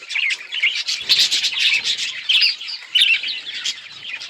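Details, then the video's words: Budgies recorded on October 26, 2023, chirping together: a dense, continuous chatter of high, warbling chirps and short squeaky notes, with several birds overlapping throughout. "Budgies beautiful colors and chirping sounds"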